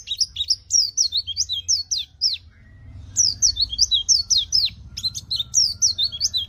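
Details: Caged white-eye singing energetically as training material for lazy singers: fast runs of thin, high, down-slurred chirps in two long bursts with a quiet gap between them, with a low rumbling hum underneath.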